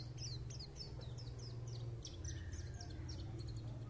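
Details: White-eye singing: a run of short, high, downward-sliding chirps repeated about three times a second, then a busier jumble of thin notes, over a steady low hum.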